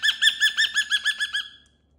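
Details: Caged pet cockatoo with new toys, giving a quick run of about eight chirpy notes that fade out over a second and a half.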